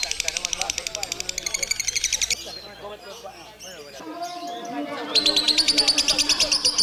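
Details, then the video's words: Lovebird singing and chirping in the long 'ngekek' style: long trains of rapid, high, pulsed chirps, a short stretch of softer mixed chatter and low sounds, then another long fast chirping run. "Lovebird singing and chirping sound | Lovebird ngekek ngekek panjang"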